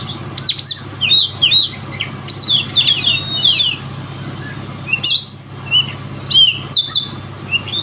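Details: Oriental magpie-robin from Riau province, said never to have lost a provincial-level audition, pouring out loud varied whistles and sharp slurred phrases in bursts separated by brief pauses, with a constant low hum.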